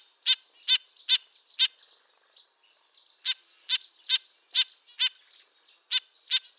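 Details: Red-breasted nuthatch calls: nasal trumpet-like notes, four quick ones, a pause of over a second with faint calls, then a further run of evenly spaced notes.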